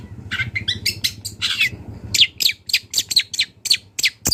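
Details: Wild long-tailed shrike singing actively, used as a training song for songbirds: harsh, buzzy and chirping notes, first in a quick varied run, then in a string of sharp downward-sweeping notes about every quarter second over a faint low hum.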